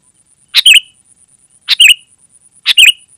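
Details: Sooty-headed bulbul used to lure wild birds and to tutor caged birds, giving three short, buzzy chattering notes about a second apart, each a quick double burst, over a faint steady high whine.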